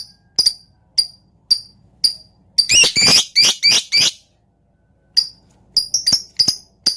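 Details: Lovebird chatter used to provoke other lovebirds into singing and fire them up: sharp high chips spaced about half a second apart, then a cluster of harsh, broad bursts, a pause, and more quick chips.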